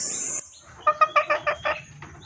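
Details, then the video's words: Female red junglefowl in heat calling males, recorded as a lure: six quick, evenly spaced clucks in a short burst, preceded by a high insect buzz that cuts off. "SUARA PIKAT AYAM HUTAN BETINA birahi memanggil jantan"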